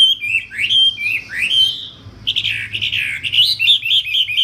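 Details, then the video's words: Singing Wambi bird: a couple of swooping whistles that rise sharply, a brief pause, then a dense, chattering warble of quick slurred notes. "Burung wambie"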